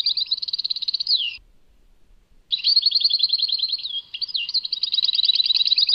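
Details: Goldfinch song tied to Tadmait: two energetic bursts of rapid trilled notes with a falling slur, separated by about a second of silence, ending in quick repeated chirps.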